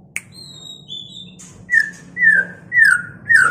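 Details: White-rumped shama singing in a mating context: a run of clear, slurred whistles that fall slightly in pitch and repeat about every half second, after a few higher thin whistled tones at the start.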